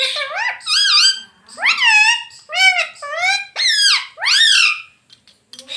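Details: Talking pet rose-ringed parakeet indoors, known for mummy, papa and mitthu: about seven loud, rich harmonic syllables in steady succession, each bending up then down in pitch, ending with a few soft clicks.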